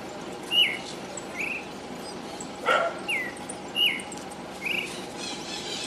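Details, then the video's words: Pale-breasted thrush singing inside a noisy city: clear, short whistled phrases, some rising and some falling, spaced about a second apart, with one sharp knock-like sound in between and distant urban hum behind. "Sabiá-poca vocalizando"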